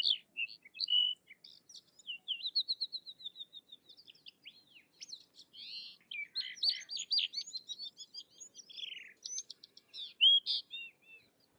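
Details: Sykes's lark in a long, rambling song of rapid chirps, trills and slurred whistles in shifting patterns, continuous for nearly twelve seconds with no other sounds.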